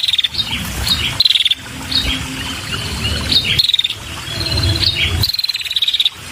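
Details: Red-headed female prinia calling eagerly to attract males, giving high rapid pulsed trills in repeated bursts about every one to two seconds, mixed with thin chirps and some low background noise.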